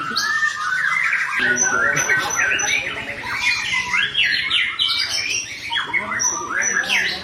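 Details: White-rumped shama in a rich, varied song for tutoring captive shamas: fast runs of whistled and buzzy notes sliding up and down, sharp high pips, and dense twittering phrases with no pauses.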